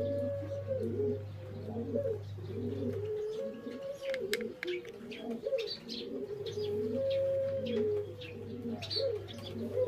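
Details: Spotted doves coo in the morning in soft, low, rolling phrases, with faint chirps from small birds above.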